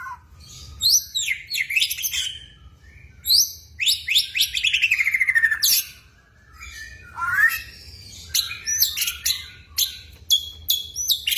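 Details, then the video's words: White-rumped shama in vigorous full song: a rich, varied run of loud whistled phrases with steep rising and falling sweeps and sharp chips, delivered in bursts with brief pauses between them. "Mb gacor"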